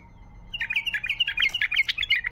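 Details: A wild bulbul chattering rapidly: a burst of bubbling, warbled notes rising and falling, over a steady electrical hum and low background noise.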